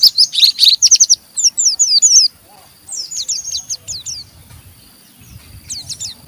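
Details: Oriental white-eye (pleci) giving a rough chattering 'ngeriwik' song meant to prompt other white-eyes to sing: fast high bursts of twittering notes, then a run of short downslurred chips, sparse later.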